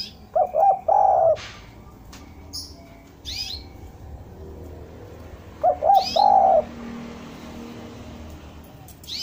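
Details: Spotted dove coo used as a lure for doves: two phrases about five seconds apart, each a pair of short coos leading into one long low note, with scattered high bird chirps in the background.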